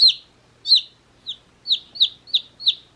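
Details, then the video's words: Baby chicks one day old, held in a beach hat, utter shrill falling peeps, several loud single chirps then a quicker run of closely spaced notes. "Baby Chicks Chirping Sounds"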